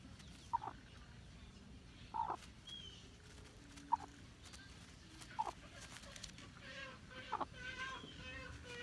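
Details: Hmong black chicken uttering brief, soft single clucks, about one every one and a half to two seconds, over a low steady background hiss.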